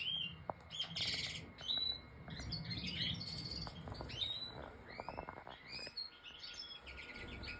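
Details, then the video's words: European goldfinch of the major type singing a fast jumble of bright twittering notes, trills and upward-sweeping whistles, with some clicks and rustling in the background. "Stieglit Major #Goldfinch"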